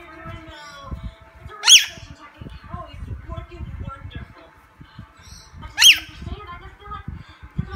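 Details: Lorikeet at play, giving two loud, harsh screeches about four seconds apart over steady soft clicking and rustling, with faint chattering in between.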